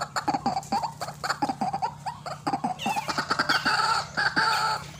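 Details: White-breasted waterhen calling fiercely in a recording used to lure birds. Rapid choppy clucks are followed by longer, ringing, nasal notes.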